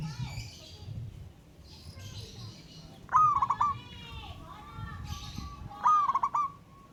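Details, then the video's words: Wild local zebra dove calling out a rival and joining in song. Two rolling coos about three seconds apart, each with a clear first note and then rapid bubbling pulses. Other birds chirp faintly in the background over a steady low rumble. "Burung Perkutut LOKAL Alam Ngayer Memanggil Lawan Ikutan Manggung Gacor"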